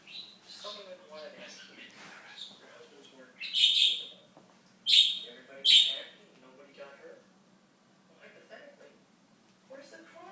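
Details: Talking pet budgie, alive 2007 to 2016, mixing murmured, speech-like warbling with three loud, piercing chirps in quick succession midway, then softer chatter resuming after a quiet pause.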